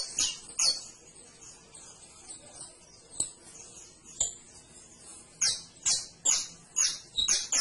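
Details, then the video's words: Canary song of scattered soft high notes and clicks, building into a loud run of bright, sharp chirps at about two per second near the end. "CANARIO CANTO - 21 MINUTOS DEL AVE CANTANDO"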